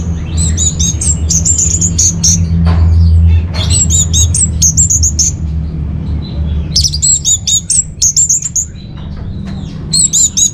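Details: Master and lure recording of orange-headed thrush singing for caged birds: high, sharp chirping phrases in quick rhythmic runs, several notes per second, pausing briefly before starting again, with low background hum.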